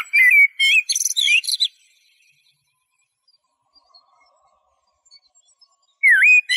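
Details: Eurasian blackbird song opening with mellow whistles and ending in a burst of high, chattering twitters, followed by quiet, then a fresh phrase starting with a swooping whistle.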